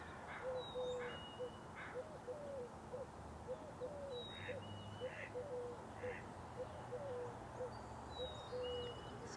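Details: Wild Eurasian collared dove calling from a marsh in British Columbia, perched with its back turned; soft, low cooing notes in short repeated phrases, while a chickadee gives high, clear two-note whistles nearby.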